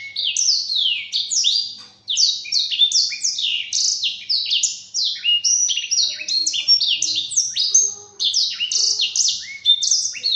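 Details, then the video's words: Training song from a Black-throated canary for caged birds: long energetic warble of descending whistles and trills, broken by two brief pauses, otherwise continuous and high. "Masteran Burung Blacktroat"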